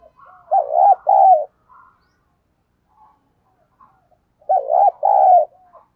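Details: Lure spotted dove calling to attract wild doves; a loud two-note coo, first note quavering and second held, is repeated twice about four seconds apart, with faint soft notes in between.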